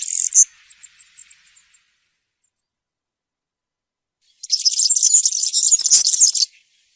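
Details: Field-style (campero) song of a European serin: a short high burst trailing into a few spaced ticks, a silent gap, then about two seconds of dense, shrill, buzzy jingling.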